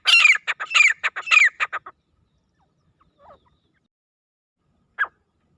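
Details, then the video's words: Wild grey francolin (teetar) giving a loud call: about two seconds of rapid, harsh, high-pitched bursts forming three phrases, each with a downward-sliding note, followed by silence and one isolated note near the end. "Wild Teetar Calling Sound | Acha Teetar Ki Loud Awaz"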